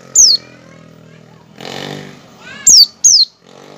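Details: Oriental white-eye singing ngecal-ngecal, used to prompt other white-eyes to sing. Three crisp, high, falling whistled notes, one early and two close together near the end, with a soft broad rushing noise between them.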